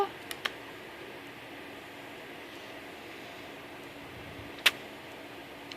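Steady indoor room hum with a few sharp clicks and taps, and no animal voice.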